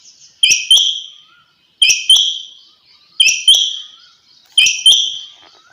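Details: A quail, possibly female, calls early in the morning in short, sharp two-note bursts, the second note close after the first, repeated about every second and a half against a quiet background.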